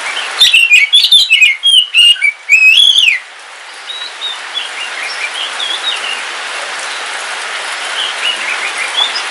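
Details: Oriental magpie-robin, black Kalimantan form kept at home, singing during rain: about three seconds of rapid, sweet whistled notes and chirps, then steady rain hiss with faint, distant twittering.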